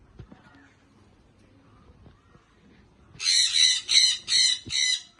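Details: Sun conure chick, a baby parrot, quiet at first with faint background clatter, then bursting into four loud, harsh, even squawks in quick succession.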